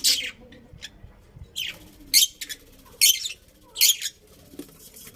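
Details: Pet budgies give loud, sharp, high chirps about once a second, irregularly spaced, with quiet gaps between calls.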